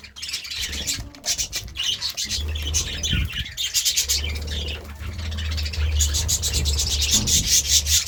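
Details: Morning chirping of budgerigars, a continuous rapid chatter of high squeaky notes and warbles, rising in intensity toward the end, with a constant low hum underneath.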